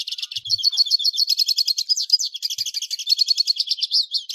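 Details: A hooded siskin (Spinus magellanicus) sings a fast, continuous twittering song of high, thin chirps and trills, rambling without pause through the whole stretch.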